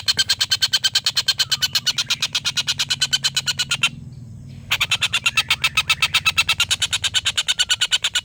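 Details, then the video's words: Long laughing call of a collared kingfisher, locally tengkek buto, used as a song tutor for contest birds: two long, fast runs of harsh, cackling notes separated by a short silence, over a faint low hum. "tengkek buto ngekek panjang master burung"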